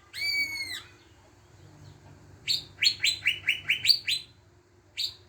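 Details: Greater green leafbird song used as a lure to make other birds sing: a long level whistle, a pause, then a rapid series of about eight rising chirped notes and a final chip, over a low hum.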